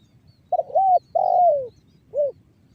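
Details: Banggo bocor style call of a trained spotted dove, a lure to set other doves cooing, recorded in Cirebon Utara, West Java. One full phrase: a broken two-part opening coo, a long downward-gliding coo, a pause, then one short rounded note.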